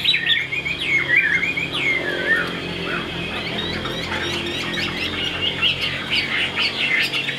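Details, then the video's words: Chinese hwamei kept in a cage in Vietnam: scattered whistled and slurred notes early on, then a busier, less distinct jumble of chirps against steady background noise. "Tốc độ mỏ quá ok, đầu mặt đẹp chất giọng cực kỳ hay | Họat Họa Mi"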